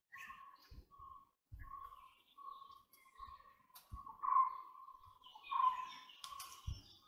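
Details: White-bellied woodpecker calling repeatedly, a series of short, steady mid-pitched notes roughly once a second, later notes louder and longer, with occasional knocks and faint higher chirps from other birds.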